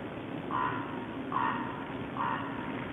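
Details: Ravens at a feeding ground shared with small birds, recorded 10 January 2012: three faint, hoarse croaks at even intervals of about eight-tenths of a second, heard against steady background noise.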